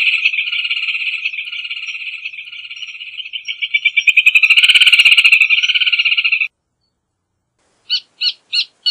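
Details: Rufous hornero giving a long, fast rattling trill that swells to a loud, layered peak before ending suddenly. After a pause come four short, evenly spaced sharp notes.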